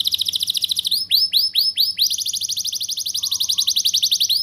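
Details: Canary song for prompting young canaries to sing: a dense high trill, a run of looping down-curved whistles, then a steady rapid rolling trill over a faint low hum.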